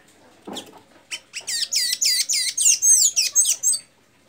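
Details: Blue-gray tanager (sanhaço azul) singing in Santa Inês, Maranhão: after a soft start, about ten bright, squeaky, down-slurred notes follow in quick even succession over nearly three seconds, ending in thin twittering squeals.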